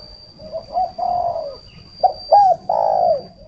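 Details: Spotted dove used as a decoy bird in northern Vietnam. It gives low, mellow coos: a few quiet lead-in notes and a long sliding coo, then a sharp upward-flicked note and another loud drawn-out falling coo, over a constant faint high whine.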